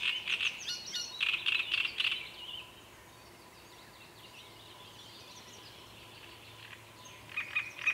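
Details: Great reed warbler: a burst of harsh, repeated grating notes for two seconds, then near silence with faint distant twittering, before the rasping phrases resume at the end.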